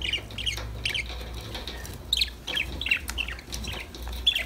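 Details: Pet budgerigars having a lively time: soft, evenly spaced high chirps about every third of a second, with faint wing or movement noises and a low hum throughout.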